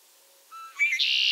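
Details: A male Red-winged Blackbird, a herald of spring, in a backyard in southern Maine in the second half of March gives its conk-la-ree song: a few short clear notes, then a rising gurgle and a harsh, buzzy trill.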